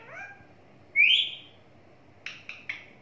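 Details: Pet talking parrot: a faint rising note, then one loud, buzzy, high squawk, followed by three quick clipped chirps near the end.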